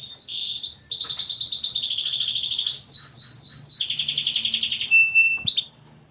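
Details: Actively singing canary with a unique cengkok style. Fast, bright trilled phrases change pitch every second or so, ending in a thin, steady whistled tone and a brief sharp note.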